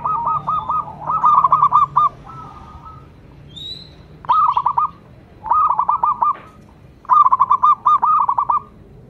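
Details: Zebra dove of a local strain in full song: short clusters of soft, rolling coos, each cluster a quick stuttering series, repeated in four or five bursts with brief pauses between.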